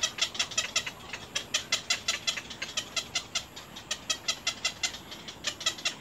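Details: Baby little egrets in the nest pecking hard at their mother: rhythmic harsh clicking calls, close to three per second, evenly spaced and fairly loud.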